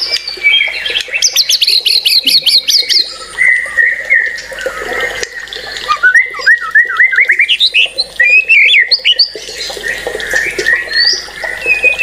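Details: White-rumped shama in full, agitated song: rapid runs of high repeated notes, then a string of rising slurred whistles and chattering phrases, with varied whistled notes around a steady mid-pitched tone.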